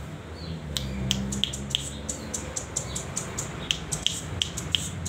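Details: Juvenile velvet-fronted nuthatch raised from a nestling, newly perching and learning to sing, kept as a tutor bird: thin, piercing high chips repeated at uneven intervals, some doubled, with a steady low background hum.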